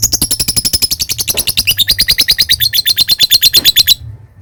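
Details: Lovebird delivering a long ngekek song to provoke opponents: a rapid, rattling chatter of shrill notes, about eight per second, running four seconds before stopping abruptly.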